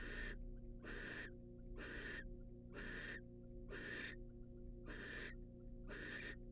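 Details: Wild female barn owl in a monitored nest box receiving a rat from the male, giving harsh broadband hissing screeches, roughly one per second, each about a third of a second long, over a steady low mechanical hum.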